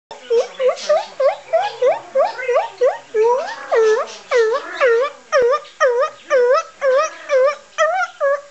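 A cockatoo gives a steady run of rich, moaning 'ooh' calls, dipping then rising, about two each second, with nothing else heard.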